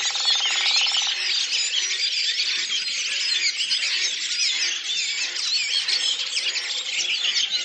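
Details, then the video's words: Many Redwings singing together as a flock at Lipovaya Hill, Oka Nature Reserve, Russia, April 2019, producing an unbroken wall of squeaky, whistled and chattering high notes that overlap throughout. "Белобровик Turdus iliacus, коллективное пение стаи / song of the Redwing flock"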